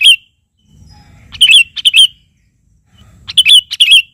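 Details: Sooty-headed bulbul singing steadily to call a rival, used as a lure for other birds: a brief note, then two clusters of rapid, bubbly whistled notes, each with several quick slurred syllables, over a soft low background rumble.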